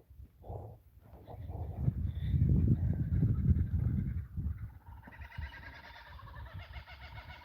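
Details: Kookaburras calling from unseen trees near a homestead paddock with cows; a rising, rolling burst of rapid chuckling notes builds in the second half, after loud low rumbling and handling noise.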